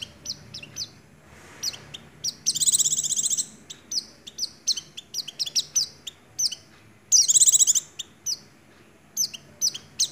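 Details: Energetic Oriental white-eye in nagen ngecrok style, white-rumped shama imitation included: crisp high chips and downslurs repeated rapidly, broken by two dense, buzzy trills lasting about a second each.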